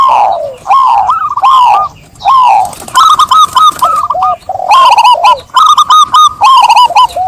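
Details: Zebra dove singing, with several birds overlapping. Bursts of rapid, staccato cooing notes follow each other almost without pause, some slurring downward, others bright and clipped, repeated in quick clusters.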